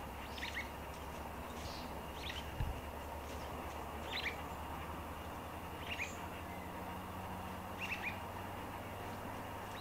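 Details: White-browed Babblers foraging in ground-storey leaf litter in Victoria, June 2020; short high chattering chirps come roughly every two seconds over steady low background hum.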